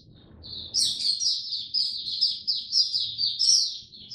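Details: Sustained high-pitched warbling from a caged oriental white-eye during cold rainy weather: a quick, unbroken chain of thin chirps and rising slurred notes after a quiet start, a faint low background hum throughout.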